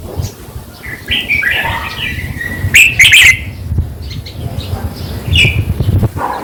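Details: Song of the red-whiskered bulbul, played to caged birds to make them lively: whistled notes lead into one loud, fluttering warbled burst, then softer chirps over a low rumbling background.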